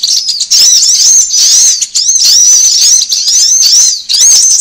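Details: Sunbird lure sound for drawing birds in, a shrill, squeaky run of quick swooping notes that keeps going almost without pause, with brief drops in volume near the start and middle.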